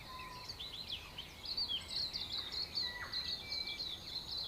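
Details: Backyard dawn chorus in Auckland, New Zealand, from native birds: busy high-pitched twittering from many birds, with a few clearer whistled notes, one low and steady near the start and one sliding downward.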